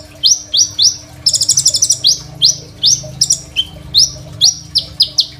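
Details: Crimson sunbird singing energetically, a song used as a tutor for young birds, recorded on a phone: piercing downward-sliding whistles repeated about every third of a second, broken by a fast buzzy high trill, with a low hum behind.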